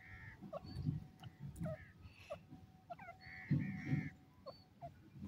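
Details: Calls of the Indian francolin: repeated hoarse, buzzy notes, some paired in quick succession, interspersed with short sharp clicks and set against a constant low rumble.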